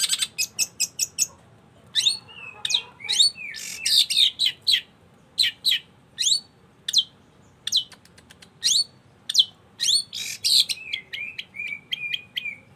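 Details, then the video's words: Lively long-tailed shrike song: a string of sharp staccato chirps, then varied scratchy phrases, downslurred whistles and a closing series of short, even, repeated whistled notes. "Burung cendet gacor"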